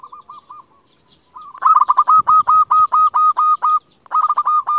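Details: Local Indonesian zebra dove, a lively caller used as a lure to call rivals: soft, rounded coos, then a loud, rapid, stuttering string of harsh, ringing cooing notes, a pause, and another burst.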